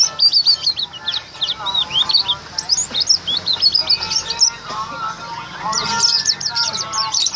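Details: White-eye singing ahead of a contest in which it took a triple win; fast, high, twittering phrases of sharp rising and falling notes, a brief pause near five seconds, then renewed bursts, with faint talk behind.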